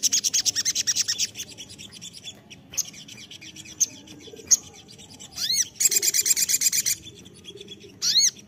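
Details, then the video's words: Crested jay lure call: bursts of rapid, metallic rattling pulses separated by quieter gaps with isolated ticks, plus a few quick arched, sweeping notes between the rattles. "suara panggilan sogon terampuh"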